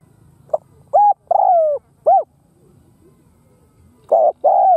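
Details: Spotted dove used as a lure bird, cooing to provoke and attract wild doves: a few soft clipped notes, then low hollow coos, a short note pair before a long falling coo, over faint low rumbling.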